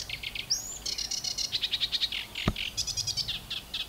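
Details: An angry sedge warbler sings close to the microphone from the bush where it was placed: a fast, scratchy chatter of harsh churrs and rapid ticking notes, broken by a sharp whistled slide and a single loud click.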